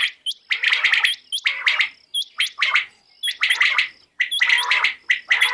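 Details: A quail in Pakistan, possibly a female, calls in a hunting lure recording: harsh, raspy bursts about once a second, threaded with thin, high, upward-flicking chirps.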